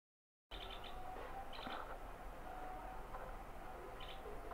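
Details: Asian green bee-eater (Merops orientalis) calling, giving short, high, trilled bursts over a steady low rumble.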